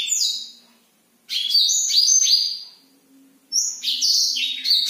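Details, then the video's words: A black-throated canary sings at night, used to stimulate birds that are not singing or lack breeding drive. It gives two bursts of high, rapid, bright chattering notes and trills, with a faint low hum underneath. "blackthroat gacor malam hari"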